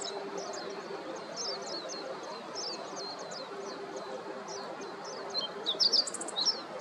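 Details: Meadow bunting foraging in the morning at Yanagishima beach, Chigasaki, Japan, 26 October 2023; a faint string of brief high descending ticks about twice a second, ending in a louder burst of sharp chirps, with low background rumble.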